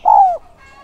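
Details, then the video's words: One clear downward-sliding coo from a spotted dove used as a decoy to lure wild doves, followed by faint background tones. "Chim cu gáy mồi giọng SON chuẩn THÚC và GÁY GỌI kích bổi nhanh nổi hiệu quả"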